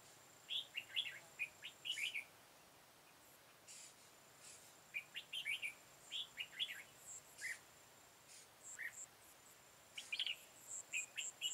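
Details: Red-whiskered bulbul singing while being trapped with a decoy bird, 13 October 2018, Vietnam: repeated clusters of quick, bright warbled notes in short phrases every second or two, with a thin steady high whine in the background.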